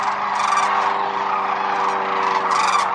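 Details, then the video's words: Wintering sandhill cranes, Whitewater Draw Wildlife Area, Arizona: two brief, bright rattling bugles stand out from a continuous dense chorus of the flock. "Wintering Sandhill Cranes at Whitewater Draw Wildlife Area, AZ"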